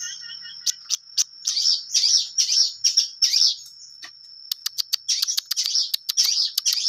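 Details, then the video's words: Long-tailed shrike singing hard: a few sharp dry clicks, then harsh rasping chatter phrases, a pause, and a quick series of sharp ticks before more rasping song, above a steady faint high whine. "cendet gacor full materi suara jernih"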